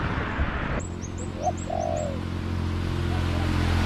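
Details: A wild spotted dove responding to a decoy trap in garden surroundings, with one soft phrase of two low coos, the second drawn out and sliding down, while thin high chirps from small birds sound just before it over a constant low hum.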